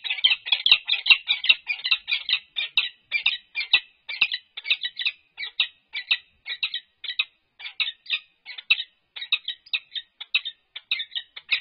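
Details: Resident pair of wild Peregrine falcons at UC Berkeley, California, during a courtship display on March 21, 2022, recorded on a livestream. Rapid, harsh, chattering notes run almost continuously, about two or three per second, with short gaps between bursts.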